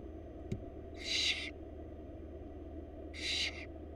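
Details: Wild Florida barn owl chicks fed by the mother produce two broad, breathy screeches around half a second each, spaced two seconds apart, preceded by a brief click against a continuous low hum.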